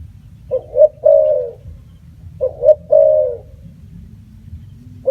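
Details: Spotted dove calling: two short cooing notes followed by a longer drawn-out coo, the phrase given twice about two seconds apart, with a faint low rumble underneath.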